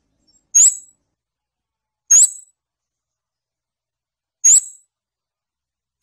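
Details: Single piercing, upward-flicked notes from a scarlet-backed flowerpecker, spaced about every one and a half to two seconds, high and thin with silence between.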